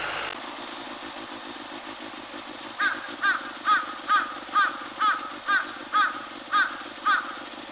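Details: Large-billed Crow gives ten harsh caws in a quick, even run, about two per second, over a steady engine-like hum; recordist guesses this ends a lookout's watch, signalling a changeover, after which it began feeding.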